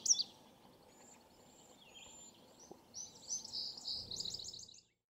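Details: Male Indigo Bunting singing about twenty minutes after sunrise on 16 July 2018 near Cemetery Road Wetlands, between Keene Valley and Keene, Essex County, New York: a bright, high song of quick paired notes running down the scale after faint thin chips, over low hiss.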